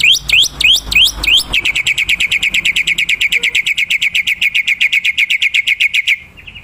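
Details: Wild black-winged myna used for luring birds: a few loud upswept whistles followed by a long, very fast, even chattering trill of bright repeated notes lasting several seconds before stopping abruptly.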